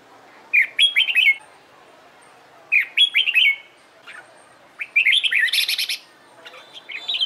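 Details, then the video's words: Red-whiskered bulbul being trained for competition song, delivering quick warbled phrases of slurred whistles and sharp high clicks, three bursts roughly two seconds apart, the last one denser and longer. "LUYỆN CHÀO MÀO HÓT ĐẤU/ CHÀO MÀO MÚA HÓT CHÉ VUI NHỘN"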